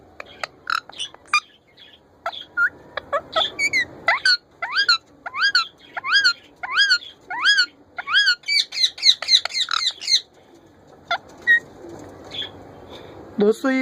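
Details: Hand-tame female Indian ringneck parrot giving a long series of sharp, chirping calls, each a quick up-down note, repeated rapidly and speeding up toward the middle before trailing off, with faint background hiss.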